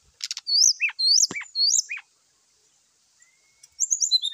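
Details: Brown-chested jungle flycatcher giving a morning fighting call to provoke other birds: quick upswept chirps and sharp downward strokes, a pause, then a fresh run of high rapid twittering notes.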